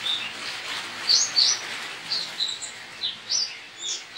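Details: Caged white-eye from Pontianak, West Kalimantan, Indonesia, entered in an online singing competition, gives rapid, high, thin chirping notes in quick irregular bursts, some sharply rising or falling, with quiet background.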